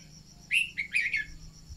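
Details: Red-whiskered bulbul song played to stimulate birds to sing: a short loud phrase of clear whistled notes with quick slurred upward and downward inflections, about three linked notes within under a second, low background hum.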